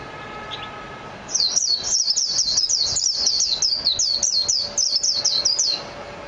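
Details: Near silence gives way to a mejiro, the Japanese white-eye, launching into a sustained, rapid series of shrill, sliding chirps for about four and a half seconds before it stops.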